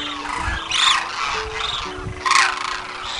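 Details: Demoiselle Crane giving two raspy, harmonic, rolling calls about a second and a half apart, set against steady background music tones.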